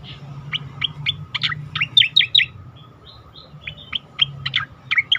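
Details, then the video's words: Asian pied starling singing for a training recording aimed at competition birds. Quick chirps and slurred whistles come in an uneven string, with a brief lull midway. A faint constant tone and low background rumble persist. "khas cica koreng suara shahduh"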